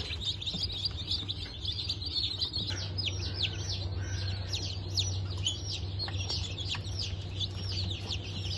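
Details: A group of newly hatched Bantam Cochin and Sussex chicks from a 3 November 2024 hatch: thin, high, sharply falling peeps repeat densely, growing more distinct after the first few seconds, accompanied by a constant low droning hum.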